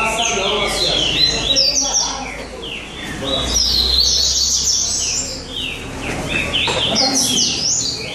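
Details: At a São Vicente singing contest, Rusty-collared seedeaters pour out continuous high, chattering song of quick descending and rising notes from more than one bird. Low crowd noise runs throughout.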